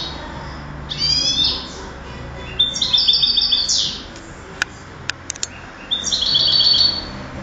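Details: European goldfinch, a 2008 contest bird, singing three bursts of fast liquid twittering with trilled notes, separated by a gap holding a few sharp clicks, over faint hum.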